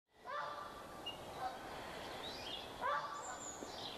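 Ural owl giving two harsh, barking calls about two and a half seconds apart, over steady outdoor background noise with a thin high whistle.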